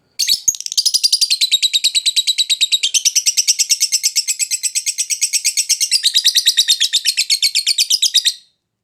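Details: Captive lovebird lure song for prompting a reluctant singer: an unbroken, high, rapid chattering trill of even pulses lasting about eight seconds, shifting slightly in tone partway through.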